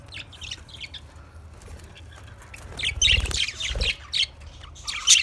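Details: Caged budgerigars: soft scattered high chirps at first, then louder scratchy chattering and squawks building in the second half, with some low thumps.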